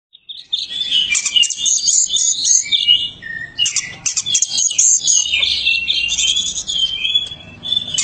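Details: White-rumped shama, a prized champion songbird, singing a rich, continuous run of loud whistled and chattering phrases, high-pitched and varied, with brief pauses between bursts.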